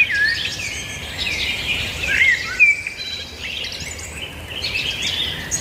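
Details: Overlapping high chirping and trilling from several birds, with occasional short whistled slurs, set against a noticeable hiss of background noise.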